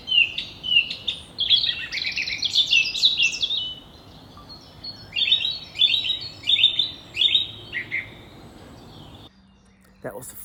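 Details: A song thrush, filmed at the end of winter as spring begins, sings a loud, bright run of varied notes, then repeats one short, clear phrase about four times with brief pauses, over a faint low rumble.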